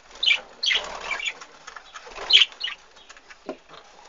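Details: Budgerigars and chicks in an aviary, 2013, uttering harsh, noisy squawks and chirps in quick bursts, with some rustling or fluttering between calls.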